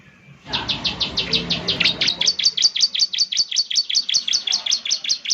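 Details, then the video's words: Bar-winged prinia (ciblek) lure song for a caged bird: after a brief low murmur, a steady, fast train of high, slightly buzzy chirps runs for several seconds, growing sharper and more even in the second half. "Pancingan Ciblek Semi Gacor Agar Bunyi..!"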